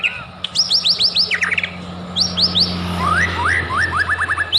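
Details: Lure song of a white-rumped shama, played to make other shamas sing: quick runs of sharply rising whistled notes, some descending slurs, high squeaky notes, steady low hum underneath.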